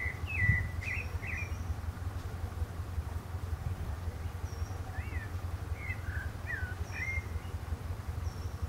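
Pale-breasted thrush singing short, varied warbled phrases, some rising and some falling, every second or so, over a steady low rumble of traffic.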